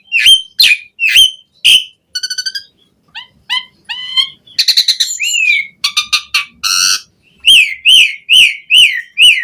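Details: Song of an Asian pied starling, recorded to coach captive birds into varied singing: crisp whistled chirps, a fast ringing trill, stuttering clicks and buzzy notes, ending in a series of evenly repeated rising-falling whistles.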